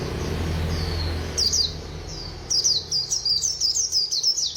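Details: White-eye in fast song: after a second of low rumbling noise, high, thin, sharply slurred chirps start, then speed into a quick, bright twittering series.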